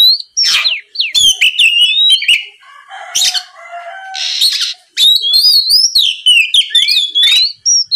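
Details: Lure song of an oriental magpie-robin, meant to draw answering songs from rival birds: an almost continuous run of bright whistles, chirps and slurred squeaks, broken midway by a softer scratchy, chattering passage before the loud whistling resumes.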